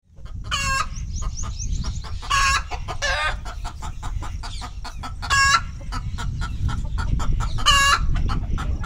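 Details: Rooster and hen perched on a tractor, recorded on a OnePlus 9 phone: short harmonic squawks and clucks in bursts about every two seconds, with rapid ticking clucks between and a low engine-like rumble beneath.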